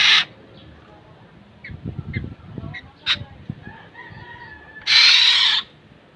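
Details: Kilyawan, the black-naped oriole, with a harsh rasp at the start and another loud nasal screech near the end, separated by faint clicks, ticks and a thin whistle.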